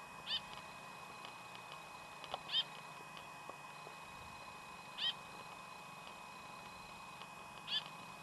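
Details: Austral thrush (Turdus falcklandii) at Pucón, Chile, July 2011, giving short, clear high notes about every two and a half seconds over a steady background hum.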